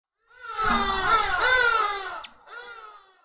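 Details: Arrow-marked babblers at a garden spring in suburban Pretoria, South Africa: a loud, harsh, nasal chattering chorus rolling on for about two seconds, then a shorter, softer burst after a brief pause.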